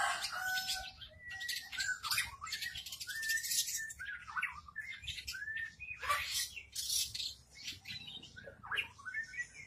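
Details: Long-tailed shrike set out in front of a house singing nonstop, a varied medley of harsh buzzy rattles, sharp downslurred whistles and short chirps delivered in rapid, irregular phrases for nearly ten seconds.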